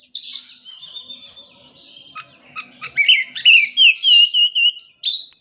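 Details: Oriental magpie-robin song used to stimulate birds that will not sing: varied whistles and quick chips, building to a loud run of rapid slurred high notes.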